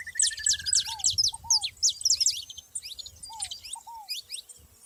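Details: A gathered group of saffron finches in the wild giving a busy chorus of thin, steeply falling high chirps, opening with a fast buzzy trill. Soft, lower slurred whistles recur beneath.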